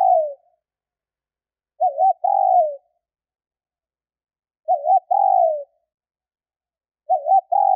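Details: Hen spotted dove calling to draw and stimulate males, phrases repeating about every two and a half to three seconds: each a wavy short note then a longer descending coo, clean and quiet between.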